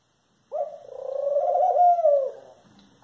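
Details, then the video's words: A single long, rasping, low-pitched call from a Eurasian collared dove, building gently in loudness and fading out after about two seconds in a quiet setting. "Rola-turca (Streptopelia decaocto)"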